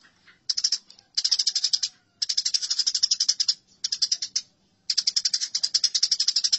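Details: Eurasian tree sparrows clashing, in a masteran recording: dense runs of quick, buzzy chirps in bursts of about one second, with brief silences between them.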